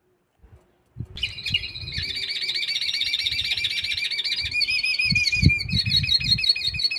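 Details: Mixto canary hybrid, a red bird being prepared for song contests, delivering a continuous, loud song from about one second on: rapid trilled and warbling phrases, rolling tours with wavering whistles, and low thumping handling noises underneath.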